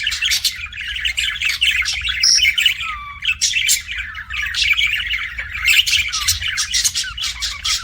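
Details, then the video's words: Chirping pet budgies: rapid scratchy warbling and clicking chatter, with a few clear whistled notes, one sliding downward, rising and falling in loudness throughout. "BUDGIE CHIRPING SOUNDS"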